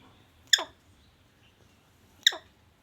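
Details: A pet parrot, described as talking, gives two sharp, bright chirps about one and three-quarter seconds apart, each dropping into a short descending squeak, against a quiet background.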